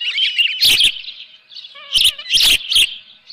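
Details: Osprey nest at Dunrovin Ranch with a live fish, 7:32 AM, 24 June 2018; shrill rising and falling whistled chirps alongside a few loud snapping knocks.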